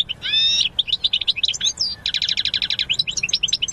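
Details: Singing European goldfinch opens with a drawn-out nasal wheeze, then runs into quick tinkling twitters and a fast, evenly repeated trill of sharp high notes, with low background hum throughout.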